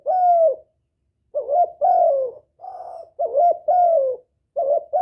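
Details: Lure call of a spotted dove intended to attract a male. Repeated mellow coos alternate short hooked notes with longer falling ones in a steady series of about six phrases, with nothing else audible.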